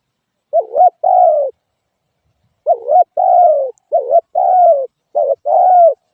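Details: Spotted dove cooing: paired phrases, each a short warbled note followed by a longer, slightly falling coo, with a two-second pause before three more quick pairs. No other sounds.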